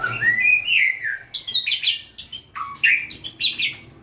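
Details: White-rumped shama song: a rising whistled slur, then repeated loud high phrases of sharp descending notes about every second.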